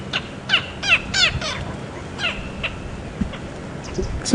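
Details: A go-away-bird at Djuma Game Reserve on a windy, overcast morning, 18 September 2015, gives harsh, nasal, downward-sliding notes in quick succession, one of its other melodies rather than its regular call; francolins call faintly in the distance.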